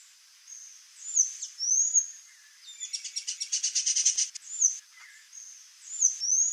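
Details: A pair of Swallow Tanagers calling: sharp, high chirps and short upslurred whistles, then a rapid buzzy rattle of about a dozen quick notes lasting over a second, followed by more thin chirps, with faint background hiss.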